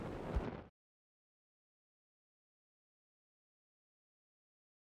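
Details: A brief muffled rustle and thump, then complete silence.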